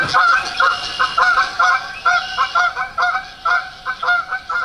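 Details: Several Canada geese giving loud, nasal two-syllable honks, about two a second, overlapping in an irregular chorus.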